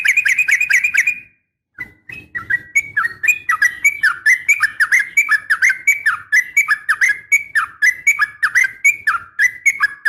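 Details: Female yellow-vented bulbul uttering a fighting call to draw males: a quick opening chatter, a pause, then a long steady series of clear, slurred whistled notes dipping and rising, about three a second.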